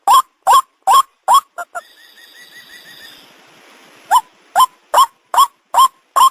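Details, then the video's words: White-breasted waterhen call played as a hunting lure: loud upward-bending croaking notes in a steady series, broken in the middle by a short squeak and about two seconds of faint hiss before the notes resume. "the sound of the ruak ruak"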